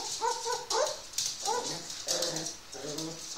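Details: A house-kept Grey parrot, one year old, gives a series of whining, tonal syllables with stacked overtones, repeated roughly every half second against a faint hiss.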